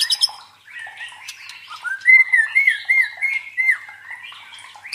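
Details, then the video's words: Song of a white-rumped shama used to train fighting birds: brief harsh chatter, then a run of clear, wavering whistles held near one pitch, becoming buzzy toward the end. "MELATIH MENTAL FIGHTER MURAI BATU DENGAN SUARA PANCINGAN INI"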